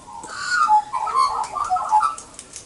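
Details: Princess Parrot babies begging while being fed by their mother in a nesting box on a rainy morning, 12 December 2017: a rapid run of short, warbling whistled notes, rising and falling, several a second, over a faint hiss of rain.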